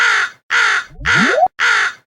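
A crow gives four harsh, rasping caws in quick succession, about two per second. A brief rising sweep sounds beneath the third caw.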